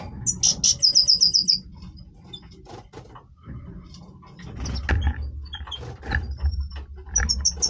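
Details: European goldfinch singing its breeding voice. A rapid run of bright, even, high-pitched notes repeated about eight times opens the clip. Clicks and rustling follow, then more high twitters near the end.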